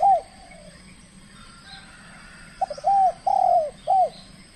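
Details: Trained spotted dove from the Riau Islands, Indonesia, in its first contest, calling aggressively: one mellow coo, a pause, then a quick run of four short, rounded, slightly arching coos. Faint background hiss.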